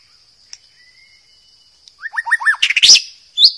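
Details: Wild white-rumped shama: after a faint long whistle and quiet, a quick series of four rising looped whistles followed by loud harsh, scratchy chattering and a final high note, with a steady high-pitched whine throughout.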